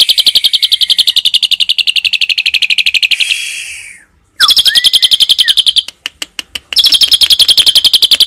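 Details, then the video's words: Asian pied starling singing a 'tembakan' song filled with cililin-style phrases: long runs of fast, sharp high chips about four per second, broken by a short hiss, a brief gap and a few slurred whistles, then the rapid chipping resumes. "JALAK SUREN TEMBAKAN ISIAN CILILIN"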